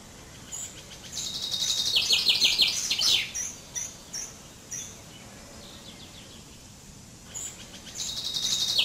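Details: Common chaffinch (Fringilla coelebs) song: a rapid run of high repeated notes speeds up and descends, closing with a brief flourish near three seconds; a second phrase begins near the end, with scattered faint chirps and steady outdoor hiss.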